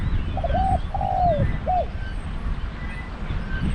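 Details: Single cooing phrase from a decoy spotted dove at a dove trap: short doubled opening, a long hoarse slurred coo dropping at the end, then one clipped note, with low background rumble.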